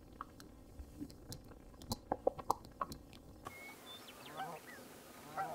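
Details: American coot giving short, sharp, clipped notes in an irregular burst of about eight, each a quick punchy click, followed by quieter chattering sounds and faint background birds.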